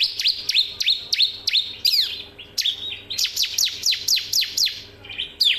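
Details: Bar-winged prinia song for tutoring other birds: a fast series of sharp, high downslurred chips repeated about every third of a second, with a brief pause before a denser burst, over a faint low hum.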